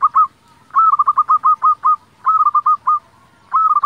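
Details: Local Indonesian zebra dove singing vigorously, used as a lure to provoke other zebra doves into singing. Four bursts of rapid, staccato cooing notes in a fast rolling series, separated by short pauses.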